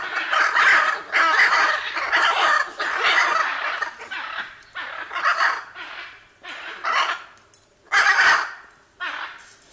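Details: A pair of Hyacinth macaws, with others around them, squawk relentlessly at Caiman Ecological Refuge, Southern Pantanal, Brazil, on 18 July 2019: loud, harsh, grating squawks about one a second in uneven bursts over a low background hum.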